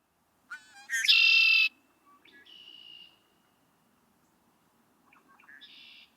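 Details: A male red-winged blackbird in wetland with cattails and reeds sings its "chicory" song: a couple of short clipped notes running into a loud, harsh, buzzy trill under a second long, then softer whistled phrases.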